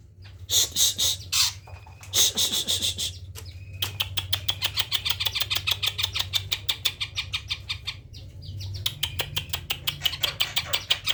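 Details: Greater green leafbird, tame, singing abundant isian when approached: dense buzzy high bursts, a thin whistle, then a long rapid chatter of sharp chirps over a steady low hum.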